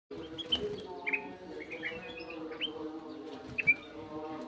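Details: Sooty-headed bulbul singing scattered short liquid whistled notes, some rising, some dropping, spread across several seconds over a steady low mechanical hum.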